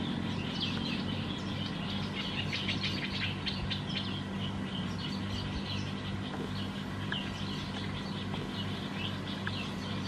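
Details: Black-headed bulbul at Sa Phang, Phetchaburi province, Thailand, December 2020, giving dense bursts of high twittering chirps that thin out toward the end, with a persistent low hum underneath.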